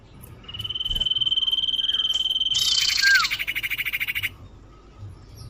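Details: Common iora call used to lure birds: one long steady whistle running over two seconds, followed by a loud buzzy pulsed rattle and a short downslur.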